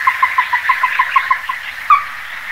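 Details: Rapid run of about ten even, clipped notes from a Ruddy-breasted crake, a short pause, then one louder, sharper note, over a steady insect or frog chorus.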